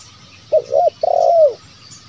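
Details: A zebra dove gives a soft, low cooing phrase: a short rolling coo, a brief gap, then a longer trilled coo that slides downward. The recording is used as a lure call for wild birds.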